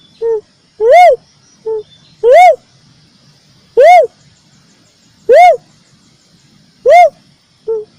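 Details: Ruddy cuckoo-dove, known in Javanese as gedewo, lure call used for bird trapping: loud hooted notes arching up then down, repeated about every one and a half seconds, with softer short notes in between and a faint steady high hiss.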